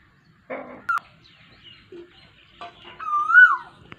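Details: Asian koel calling in the rainy season, 23 June 2022: a single loud whistled note near the end that rises and then falls away, preceded by scattered short knocks, clicks and rustling sounds.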